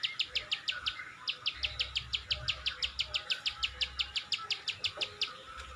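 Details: Energetic gacor clicking from a Plain Prinia (ciwah): a long, steady series of loud, dry ticks, roughly three every second, with a soft low hum beneath.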